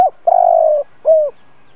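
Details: Spotted dove used as a decoy bird to provoke wild doves, giving a 'gù' coo: a long, low, steady hooting note, slightly trembling and falling at its end, then a shorter falling coo, on a quiet background.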